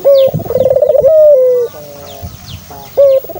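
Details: Dove cooing to prompt a kept dove: a short clear note, a rapid pulsing roll rising slightly, then a long gently falling tone and a soft layered hum, another call starting at the end, with faint high chirps.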